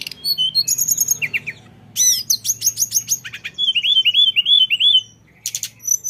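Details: Lesser shortwing (mountain tledekan) singing in the 'ngeroll' rolling style: dense high twittering, looping whistles, a row of repeated wavering notes, a brief silence, then sharp high bursts.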